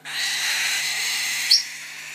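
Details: A slate cockatiel chick, handfed and crop not yet empty, gives a loud, harsh, raspy hiss for over a second, then a brief bright chirp, begging at feeding time.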